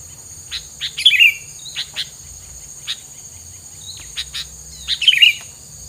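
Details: Bird isian filler song said to keep rival birds from approaching; scattered thin chirps build into two dense twittering bursts about four seconds apart, with a constant high-pitched insect hum behind.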